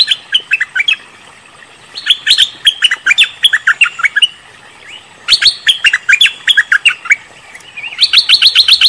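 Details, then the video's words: Cream-vented bulbul (merbah lekir) giving bursts of quick, bubbly chirps in short runs of about two seconds, each note dipping and rising in pitch; a lure call meant to draw a reply. "Suara pancingan burung MERBAH LEKIR ngebrend auto nyaut"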